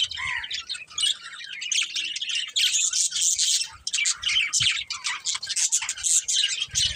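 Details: Pet budgerigars chirping: dense, continuous high scratchy chatter and twittering with quick squawky notes, steady throughout with brief dips, one lower whistled note near the start.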